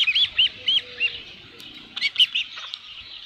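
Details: Osprey at a ranch nest with a headless fish, giving short high whistled chirps, a few in quick succession then a pause before another burst, with faint background hum.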